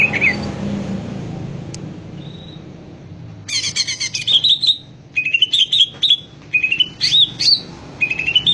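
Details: Greater green leafbird in lively, persistent gacor singing: after a quiet start with a lone note, bursts of high whistled, slurred and chattering notes come in quick clusters, each phrase rising and falling, over a low background hum.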